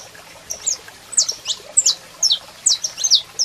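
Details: Saffron finch male singing to a calling female: spaced, very high, sharp downslurred chirps, often paired, about two each second, over faint background hum.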